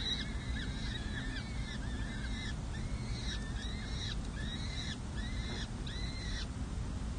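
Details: Peregrine falcon chicks, four nestlings aged six and seven days, calling as a parent feeds them on a San Jose City Hall ledge in May 2024; rapid, rising-and-falling squealed notes come in clustered runs over steady low traffic hum.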